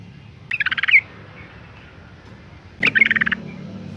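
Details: Yellow-vented Bulbul female in breeding condition calling males; two short, fast, harsh rattles about two seconds apart, the second opening with a sharp click.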